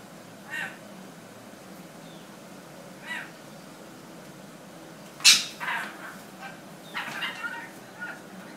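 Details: A rainbow lorikeet fighting with a cat gives harsh, grating screeches, first singly and spaced apart, then in a louder, rapid cluster of shrieks near the end, over a faint background hum.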